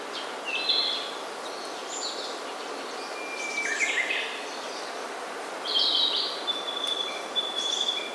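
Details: Wild birds singing in native primeval forest on Ujina Island, Hiroshima, Japan: scattered high whistled phrases and a long thin whistle over a steady background hiss.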